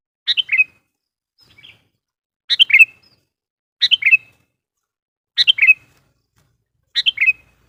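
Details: Wild-bird lure of a sooty-headed bulbul: a short descending three-note phrase, bright and liquid, repeated every one to one and a half seconds, with a faint softer phrase between the first two.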